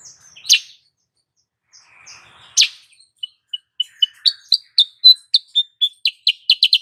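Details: Female sooty-headed bulbul lure call, meant to raise male breeding urge: a few scattered sharp chirps, then a quickening run of short bright high notes, ending in a rapid chattering series.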